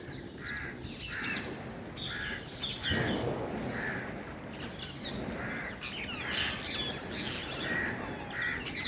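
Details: A pet Indian green parrot gives repeated harsh, squawky chirps about once a second during Diwali, over steady crackling of firecrackers, with a louder burst near the middle.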